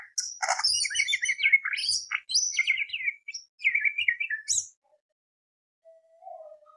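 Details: Greater green leafbird singing continuously, full of varied fill-in phrases, meant to provoke other birds: dense jumbled chatter of high whistles and warbles for nearly five seconds, then quiet low whistles.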